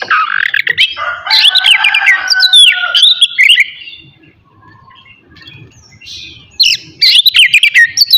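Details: Morning singing of an Oriental magpie-robin, kacer, played to provoke aggression and breeding urge in other magpie-robins; dense rapid chirps and descending whistles, a quiet pause, then another loud chattering burst.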